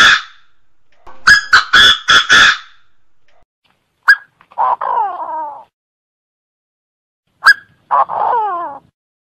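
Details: Francolin calling in Cambodia: a few harsh, rapid bursts, then a loud click followed by two short rasping notes and a drawn-out, falling, harmonic-rich note. The phrase repeats twice, in a quiet setting.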